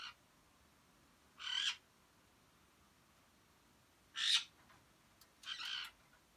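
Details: A household group of pet grey parrots gives three or four harsh, rasping squawks, each about a third of a second long, spaced a second or more apart, with quiet background between.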